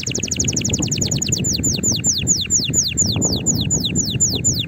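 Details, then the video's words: Excited canary singing to encourage other canaries: a fast rolling trill that slows into evenly spaced descending sweeps, over a steady low background rumble. "تغريد طائر الكناري هائج نار , لتحفيز على الغناء"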